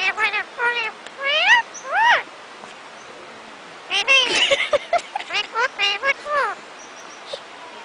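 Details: Parrots talking together and kissing: short bursts of harmonic, speech-like syllables, some rising and some falling, clustered in two groups with a quiet pause between them.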